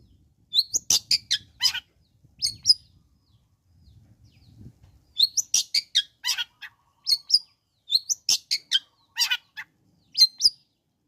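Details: Long-tailed shrike song used to provoke other shrikes: rapid series of sharp, high, clicking and chipping notes in bursts, separated by short pauses, with a faint low rumble between phrases.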